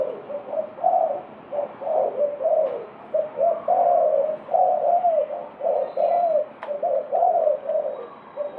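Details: Spotted dove cooing: soft, low, hollow phrases of two or three notes, repeated in steady series with short gaps, in a quiet setting.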